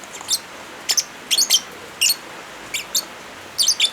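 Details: Lovebird chatter mixed with falling rain, meant for training silent birds: short, piercing, high chirps given singly or in quick pairs and triples, spread irregularly across the clip over continuous rain noise.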